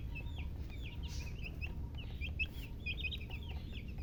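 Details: Rapid high chirps from baby chicks, each a short downward-bending peep, running almost continuously over a loud low rumbling background.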